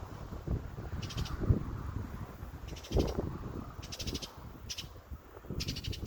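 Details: A backyard bird in summer gives harsh, raspy bursts, repeated about once a second in irregular groups, over a constant low rumble.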